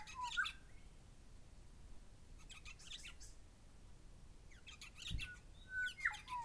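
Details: Calling Grey shrike-thrush pair: a bright whistled note at the start, then a lull with distant lorikeet chatter, then a run of clear slurred whistles near the end, with Rainbow Lorikeets squabbling in the background.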